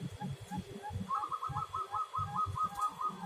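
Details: Local zebra dove with a soothing voice: a few soft, spaced notes, then a quick chattering trill of bright, short notes for about two seconds, with strong low pulsing rumble underneath.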